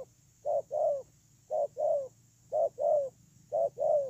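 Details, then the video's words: Decoy spotted dove kept as a ground lure, cooing in two-note phrases, a brief note followed by a drawn-out slightly descending one, four phrases at roughly one per second over a faint constant high whine. "CU GÁY"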